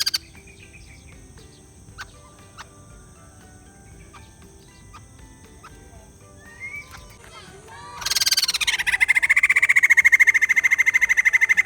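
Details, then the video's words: After a long near-silent stretch with faint clicks and thin calls, a white-crested laughingthrush suddenly bursts into loud, rapid, rolling chatter that continues to the end. "Beli Poksai Jambul males bunyi, dengar suara ini malah GACOR"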